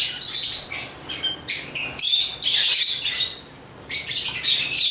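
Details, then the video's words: Shrill, scratchy lovebird chirps tumble over one another in quick succession, about four a second, easing off briefly near the fourth second before resuming. "African Love birds Agapornis chirps singing sounds"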